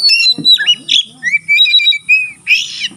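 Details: Oriental magpie-robin singing with tail spread, said to stimulate other magpie-robins to sing: loud varied whistles, a long sliding whistled phrase, sharper squeaky notes and a harsh burst near the end.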